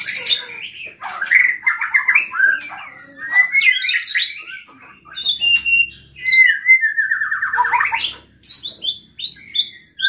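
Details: White-rumped shama in full, energetic song, played to provoke other shamas into singing: a rich, varied stream of loud whistles, fast rattling trills, rising and falling slurs and sharp high chips.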